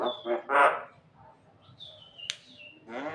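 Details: Javan myna making many cough-like sounds: harsh, raspy bursts, a few thin whistled notes and a sharp click, then another rasp.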